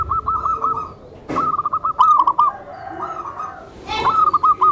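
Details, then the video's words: Soft cooing of a tame zebra dove used to draw in other zebra doves. Short staccato coo runs come in quick succession, with brief clicks and rustles between them. "SUARA PERKUTUT JINAK, LEMBUT, DAN MEMANCING PERKUTUT LAINNYA"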